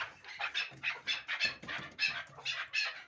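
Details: Harsh, bright notes from a hybrid fighting and hunting partridge, repeated about three times per second in an even, pulsing series.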